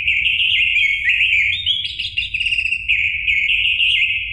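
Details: Caged orange-headed thrush song meant to trigger singing in another captive bird: a continuous, loud, rambling warble of rich slurred whistles and rapid trills with no break.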